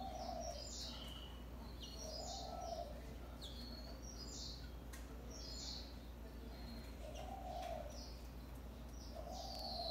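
European greenfinch giving short, high twittering notes and a drawn-out wheeze, over low cooing from a dove and a steady background rumble.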